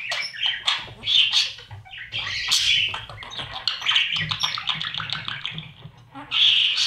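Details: Budgerigar chicks inside a nest box with a camera, being fed by their parents during breeding. Dense raspy, scratchy chirps pour out almost continuously in overlapping bursts, with brief quieter gaps and a loud final burst.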